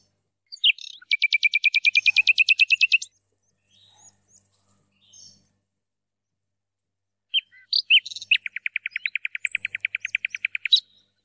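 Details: European goldfinch hybrid from Algeria, recorded in 2017, delivering long, fast buzzy rattling trills of two seconds or more, each opened by sharp chirps, with a few quiet twitters in the pause between rolls.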